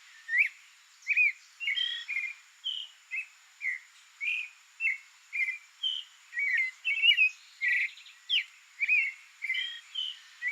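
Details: Creamy-bellied thrush (Turdus amaurochalinus, sabiá-poca), a free songbird in its natural habitat in Brazil, sings a steady run of short warbled and whistled phrases, about two per second, varied and slurred, with a faint high steady hiss behind.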